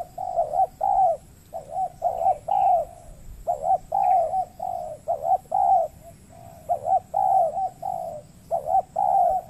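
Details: Spotted doves cooing during dove trapping on peatland in the Riau Islands, Indonesia, where a wild bird that coos a lot answers a caged decoy but hesitates to fight. Mid-pitched, rounded coo notes come in quick uneven bursts with short pauses between phrases.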